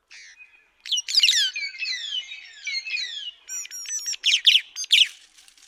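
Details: White-headed buffalo weaver (Somali gilingil) in a busy run of squealing, chattering calls: sweeping high whistles, grating notes and sharp squeaky bursts tumbling together for several seconds.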